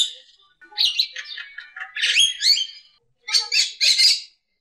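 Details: Javan myna song mixing a slurred, wavering whistled phrase that rises and falls with gritty, buzzy bursts, followed by three short raspy chirps.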